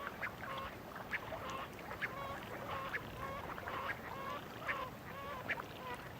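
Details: Giant coot (Fulica gigantea) on a high Andean lake above 12,000 feet near the Atacama: harsh, nasal honking calls roughly once a second in an uneven series over steady hiss.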